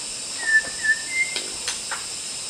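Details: Wild white-rumped shama singing in Kalimantan forest: three clear, level whistled notes in quick succession, the last slightly higher, over a constant high-pitched hiss, with faint clicks afterwards.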